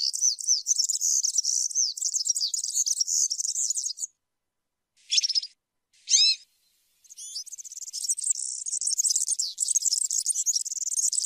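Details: Serin singing a rapid, high-pitched, wheezy jingle for four seconds, then two short rising chirps separated by pauses, then the dense tinkling song resumes to the end.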